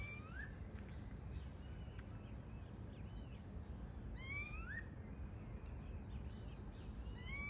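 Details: Variable oriole, known locally as Pássaro Encontro or Xexéu de Bananeira, living free in its natural habitat: short rising slurred whistles at intervals, among high thin chirps and squeaks from other birds over a steady low rumble.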